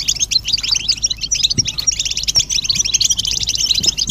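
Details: Group twittering of European goldfinches meant to end a male's silence: lively overlapping tinkling chirps in quick succession, broken by a few soft background knocks.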